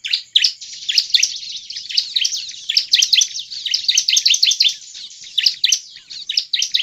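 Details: Bar-winged prinia song used as a lure to make other prinias sing: a dense, continuous run of rapid, high, scratchy chirps and trills with constant loud bursts, no pauses, and no other sounds.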